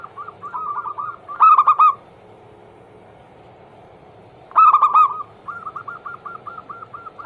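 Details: Lure song of a zebra dove, perkutut anggungan for coaxing silent doves: a trill of fast coos, a loud bubbling phrase, a three-second pause, another loud phrase, then a run of evenly spaced coos, with background hum.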